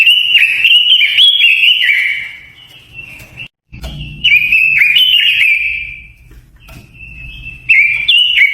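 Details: Japanese white-eye lure song used to provoke wild birds: bright, rapid warbled phrases of twittering, slurred whistles, high and jumbled, in two bursts separated by a brief silence, with faint low background hum.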